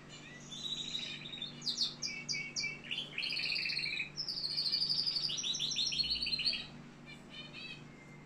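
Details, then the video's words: Canary in Algeria pouring out a long, varied song of rapid trills, clipped high notes and rolling buzzy passages, loud and continuous for about six seconds before fading to faint chirps. "كناري صوة جميل"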